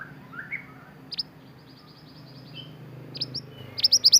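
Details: Pied bushchat from Indonesia in active song for training caged songbirds: scattered thin high whistles and chips build into a brisk closing series of loud sharp notes, over quiet background hum.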